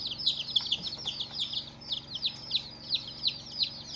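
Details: Colourful young chicks calling: sharp high peeps falling in pitch, with several loud distinct ones standing out about every third of a second above a softer chorus.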